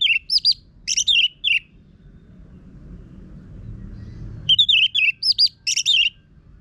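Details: A captive orange-headed thrush (Geokichla citrina) sings a rough-voiced lure song: rich, varied whistled phrases in two bursts, warbling between high and mid pitch, separated by low background rumble.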